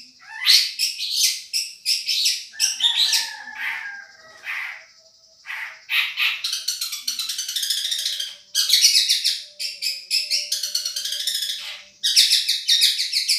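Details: Madura long-tailed shrike, a champion-grade singer recorded to tutor other birds: long run of rapid scratchy trills and chattering bursts separated by short gaps, with a faint continuous hum in the background.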